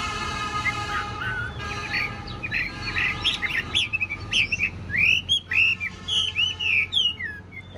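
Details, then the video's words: Caged, tame Chinese hwamei with a big body and blue eyes singing varied short whistled notes and slurred phrases that grow louder and clearer toward the end, over a steady tonal background hum. "chim thuần sách lồng vẫn hót | Họat Họa Mi"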